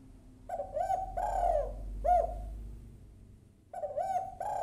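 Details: Female spotted dove calling to a male: repeated mellow coo phrases of clipped notes and longer swelling coos, over a steady low hum.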